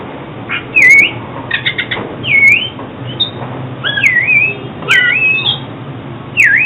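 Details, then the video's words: Oriental magpie-robin song for trapping and voice training: separate loud whistled notes dipping then rising, several clustered chips, and irregular pauses between phrases. "Tiếng chích chòe than chuyên dùng đi bẫy và luyện giọng chim hót hay mỗi ngày"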